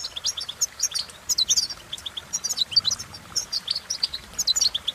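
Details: European goldfinch giving a lively, liquid twitter of clipped high chirps and short trills in bursts about a second apart, against low background hiss.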